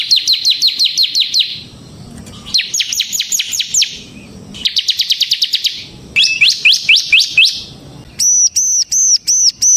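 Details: Bar-winged prinia, a kept 'ciblek semi' in full, energetic song, used as a lure and tutor for other prinias: high, rapid chirp series in four bursts, then a string of clear, arched whistled notes.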